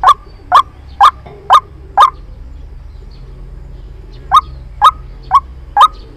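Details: White-breasted waterhen call played as a trapping lure: loud, abrupt notes at a steady two-per-second pace, a run of five, a pause of about two seconds, then four more.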